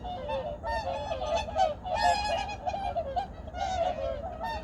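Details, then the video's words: Early morning at Changwon's Junam Reservoir in 2019, where many kinds of migratory birds gather: a short burst of crowded honks and nasal cries layered over one another, steady in loudness throughout. "창원 주남저수지 철새소리"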